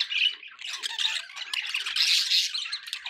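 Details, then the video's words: Pet budgerigars, kept as a group, chattering nonstop: dense scratchy warbling with chirps, squeaks and short buzzy notes overlapping throughout, swelling louder near the end, over steady background noise. "budgie sounds with background noise for relaxation"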